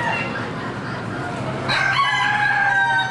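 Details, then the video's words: Fairground chickens at the Lorain County Fair: after a low, busy background of clucks and chatter, a loud rooster crow bursts in midway and holds a strained, ringing tone to the end. "CHICKENS !!!"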